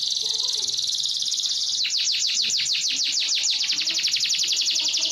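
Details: Yellow canary singing: a high steady trill, then a long run of rapid repeated downward-sweeping notes that settle back into a fast high trill.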